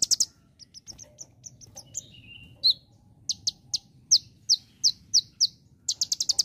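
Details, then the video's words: Konin in full song imitating ciblek (bar-winged prinia): a string of bright, high chips, a brief lower buzzy slur near the middle, then evenly spaced loud clicks ending in a rapid high trill. "Konin Dahit Gacor Nembak Ciblek"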